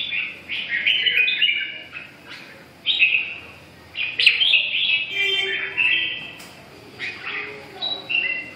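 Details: Short lilting phrases from a red-whiskered bulbul tumble out in quick bursts, with mixed chirps and slurs and a steady hiss of background noise underneath.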